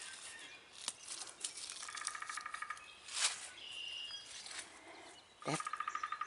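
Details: In a Wisconsin garden in early spring, a resident Pileated Woodpecker gives two quick runs of loud, even, nasal notes, about ten per run. A thin whistle from another bird and some handling clicks.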